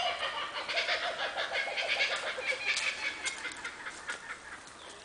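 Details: Kookaburras in Dorrigo rainforest give a loud, raucous chuckling chorus of rapid, harsh repeated notes, nearly three a second, rising and falling in uneven bursts.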